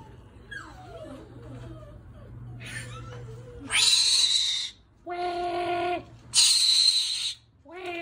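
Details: Galah cockatoo, a pet Australian parrot, indoors: faint wavering whistles, then two long harsh rasping screeches with a harmonic squawk between them and a short squawk at the end; low room hum underneath.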